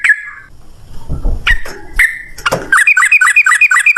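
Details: Sooty-headed bulbul lure song in the 'ropel ngalas' style: scattered clicks and rustling at first, then a rapid run of repeated chirping notes fills the last second and a half.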